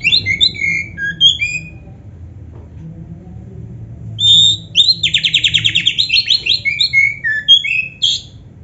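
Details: Black-breasted oriental magpie-robin song for training caged birds; scattered bright whistled notes, a pause, then a fast rattling trill of repeated buzzy notes ending in clear rising and falling whistles.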